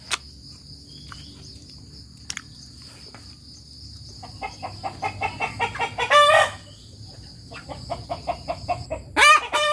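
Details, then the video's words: Free-range village hen cackling after laying, a loud call that other hens answer. Quiet clucks build into a rapid series of sharp clucks, then a harsh drawn-out "petoook" at about six seconds and again near the end. "Suara Ayam Kampung Betina Tekotek "TOK TOK PETOOOK""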